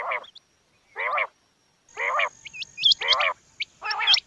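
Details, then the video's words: Female quail giving rough, nasal buzzy calls about once a second, with small high upward-flicked notes overlapping later and a thin steady whine behind. "Batair Ki Awaz Quail Sounds bedana ovozi Bedana makiyon bedana sayrashi bedana sayroqi"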